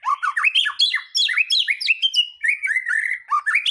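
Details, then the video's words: Continuous white-rumped shama song used as a provoking lure for other birds: rapid, tightly packed whistled phrases, jumping up and down in pitch with crisp accents, without pause. "Pancingan murai batu mendongkrak keluar isian"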